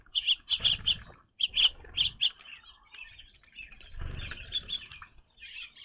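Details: An evening grosbeak at a bird feeder, a first for this watching spot. It gives a series of loud, clipped chirps in quick pairs and runs, followed by softer scattered chirps from other birds, with occasional low thumps.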